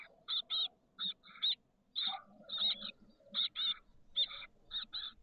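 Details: Nestling chestnut-backed chickadees, 13 days old, from a brood of six in a nest box on the San Francisco Bay south peninsula, May 2023. Short, rasping double notes repeat in quick pairs, broken by softer muffled shuffling.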